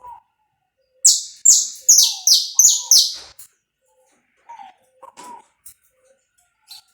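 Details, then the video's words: Saffron finch singing in the pega pé style, recorded live without cuts for warming up other birds: a burst of six loud, harsh, downward-sweeping high notes about every third of a second, with soft low chirps before and after. "esquenta seu canário da terra em 10 minutos. som gravado aí vivo sem cortes #pega pé"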